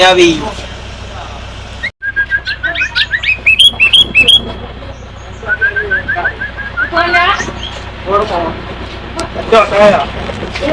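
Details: Sooty-headed bulbul aged six years in loud song: a brief dropout, then a fast run of repeated clear notes climbing into high whistles, followed by more rapid note series and scattered chirps.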